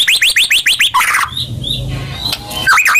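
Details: White-rumped shama (murai batu) lure song for kept birds. Six quick rising whistles repeat evenly, then a short burst of noise and faint high notes, ending in fresh rising calls.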